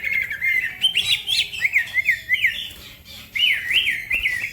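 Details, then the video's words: Green leafbird (cucak ijo) in lively gacor song for masteran use, with other birds also singing. Repeated rising-and-falling whistled loops form zigzag phrases over a soft hiss. "The green cucak bird makes noise, other birds also become gacor"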